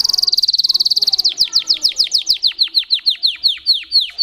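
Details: Singing Russian canary: a very fast, even high trill for just over a second, then a slower run of sharp descending whistled notes repeated about five per second.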